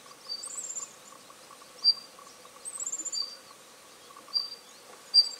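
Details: Daurian redstart (Phoenicurus auroreus), recorded 15 Feb 2021 at Bulowan, Hualien, Taiwan, where it is an uncommon winter visitor of broadleaf woodland, giving thin, high whistled notes and short sharp ticks a second or two apart over a faint steady hum.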